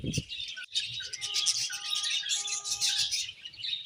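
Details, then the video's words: Dense budgie twittering, bright overlapping chirps with a few steady drawn-out whistled tones running beneath, after a low thump at the start. "Beautiful Budgies Non Stop Chirping Sounds"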